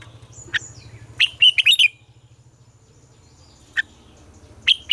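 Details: Red-whiskered bulbul singing a morning song meant to coax captive bulbuls: a sharp note, then a lively run of slurred whistled notes, followed by isolated single chirps; faint low hum behind.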